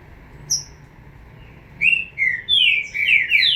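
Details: Green-winged saltator chick: after a quiet start with one faint high note, a run of short slurred whistled notes begins, falling and rising, quickening toward the end with overlapping phrases.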